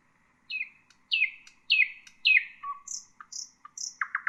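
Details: Common nightingale singing, recorded to tutor bulbuls: loud chirps slurring downward about every half second, a short low whistle, high sweet notes, then three quick strong strokes.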